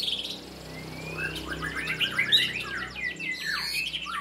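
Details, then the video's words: White-rumped shama singing during training: a long clear whistle climbs steadily, then breaks into fast varied phrases of high chips, short whistles and downslurred trills, with a faint low hum underneath. "murai latihan gacorr"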